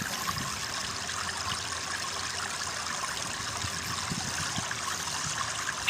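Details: Constant hiss of running, trickling stream water, with no animal voice standing out.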